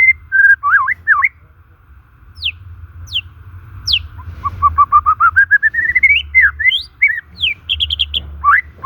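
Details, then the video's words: White-rumped shama natural song to rouse stressed or stalled shamas: slurred whistles, a few sharp descending notes, then an accelerating rising series of short whistles climbing steadily, followed by quick trills and a final upward sweep. "Suara alami murai batu ini SANGAT COCOK untuk pemikat murai MACET dan SETRES"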